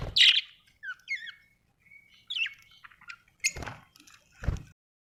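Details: Happy pet budgerigar chirping: a loud squawky chirp opens, followed by short warbled, bending chirps and a thin held whistle, then two brief broadband knocks or rustles near the end.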